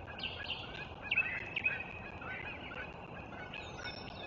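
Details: Bald eagles at a nest on 03.04.2024: a loose series of high, piping chirps and squeals clustered in the first two seconds, fading into quieter chatter, over steady hum with a thin whistle near the end.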